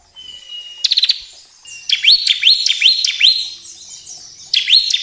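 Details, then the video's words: Bar-winged prinia song played to trigger caged birds to sing: a thin steady whistle, a quick rattle of clicks, then a run of repeated sharp chirps with downward sweeps. "pancingan ciblek agar cepat bunyi"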